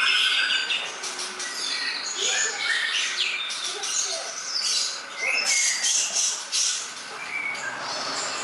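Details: Greater green leafbird (cucak ijo) in a tutor recording for songbird training sings a busy jumble of high chattering notes, squeaky whistles and harsh buzzy bursts, rising and falling in loudness.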